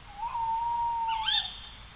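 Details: Tawny owl heard at night giving one long, round, even hoot lasting about a second, followed by a quick high rising note.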